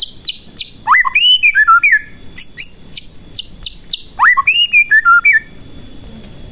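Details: White-rumped shama song intended to excite rival shamas: two matching bursts of rising and falling whistled phrases mixed with sharp high chips, separated by short quiet gaps, over a constant high-pitched background tone.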